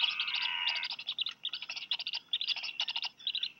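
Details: Two young Black Guillemots being fed fish by both parents, Seal Island National Wildlife Refuge, Maine, USA, 4 July 2020. It opens with a drawn-out, tonal whine, then a fast stutter of thin, high cheeps runs in clusters.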